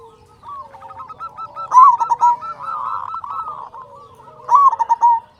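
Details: Big-voiced local zebra dove serving as a singing lure for other doves: two loud staccato coo phrases, each a quick run of clipped notes, rising out of a bed of softer continuous cooing.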